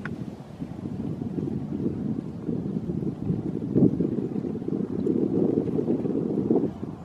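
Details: Low, rumbling wind and microphone buffeting that swells and fades throughout, with no clear animal call.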